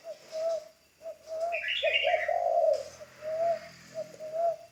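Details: A newly trained spotted dove used as a ground decoy gives a run of short soft coos around one longer, rougher coo. A brief bright twitter from another bird overlaps.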